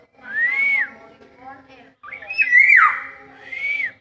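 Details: Black-naped oriole singing in the wild: a clear, fluty whistle arching up and down, then a richer warbled phrase with a sharp upward flick, closing with another smooth arched whistle; steady low hum underneath.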